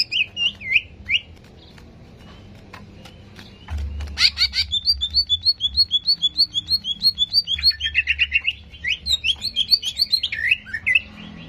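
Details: Greater green leafbird song used to rouse aggression: a few twisting whistles, then a fast, even series of about twenty bright repeated notes, followed by rising chattering phrases over a faint low hum.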